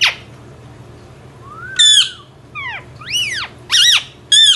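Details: Indian ringneck parrot: a loud squeak, a pause, then a series of sweeping whistled notes rising and falling, ending in shrill repeated squawks.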